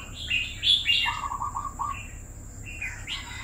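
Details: A red-whiskered bulbul held in a cage for two years delivers a lively warble: bright slurred whistles followed by a quick series of lower, evenly spaced buzzy notes, then softer rising phrases, against a steady high tone and hum.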